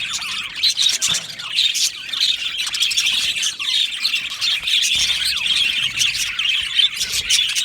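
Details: A colony of budgies in an aviary keeps up a constant high twittering chorus, with occasional louder squawks standing out above the steady warbling chatter.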